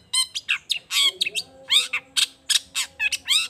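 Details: Long-tailed shrike in full song, used as a lure to make other shrikes reply: a quick run of harsh, buzzy squawks and sharp chirps, about a dozen separate notes in under four seconds, with a faint steady hum behind.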